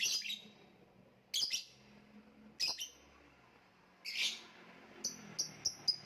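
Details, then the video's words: Lovebird, gantangan macet style, giving repeated shrill high chirps and squawks at irregular intervals, ending in a few quick sharp notes. "voice of love bird/ kicau mania lovebird gantangan macet"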